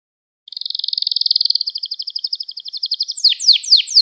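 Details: Canary song meant for training young canaries: a fast, even trill of rapid notes near one pitch, then loud descending sweeping notes repeated about every quarter second; background silent.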